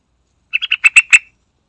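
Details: Sooty-headed bulbul song used to lure other birds into singing: a quick run of six bright, bubbling notes growing louder, ending on a brief trailing whistle.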